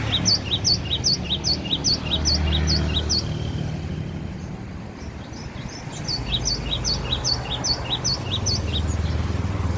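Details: Cinereous tit from Aceh, kept at home, singing persistently: high, clear two-note phrases repeated rapidly in long runs, a pause, then another run, over steady low traffic-like rumble.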